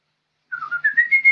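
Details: Energetic song of a young lesser green leafbird: a clear whistled phrase that wavers, then steps upward through several short notes, ending on a higher sustained whistle.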